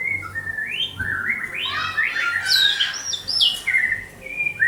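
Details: White-rumped shama, Banda Aceh, singing a continuous melodious run of whistled slurs, climbing and dropping through warbled notes and high sweeps, ending on clear mid-pitched whistles.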